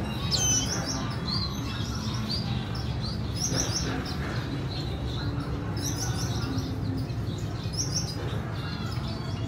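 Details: Female red siskin and chick, recorded 14/4/2021. Repeated high twittering chirps come in bursts, some sharp and sweeping, over an unbroken low droning background.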